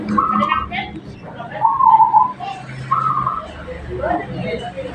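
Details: Actively singing local zebra dove gives a few level, mid-pitched cooing notes, one roughly each second, over a murmuring background.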